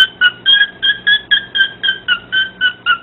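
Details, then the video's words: Pet parrot singing to a dog indoors; a steady series of short two-toned whistled notes, each with a clear harmonic, repeated about four times per second. "Parrot singing to a dog"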